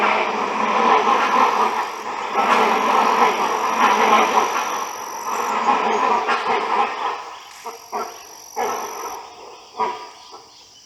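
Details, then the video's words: A travelling flock of great hornbills in India's Western Ghats communicating, captured with a Nikon Z9: a thick chorus of loud, rough overlapping calls gives way to separate harsh barking notes near the end. "How greater hornbill communicate | voice modulations or sound of hornbill"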